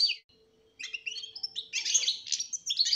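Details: European goldfinch kept as a pair with a canary, singing a fast, bright twitter of high chirps, buzzy trills and tinkling notes after a brief opening chirp and short pause, with a faint steady low hum underneath.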